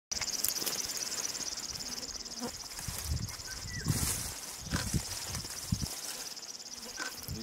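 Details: River warbler (Locustella fluviatilis) in Belarus in 2014, on a birding tour, singing a steady, rapid, mechanical insect-like chuffing that runs unbroken throughout, while people talk quietly in the foreground.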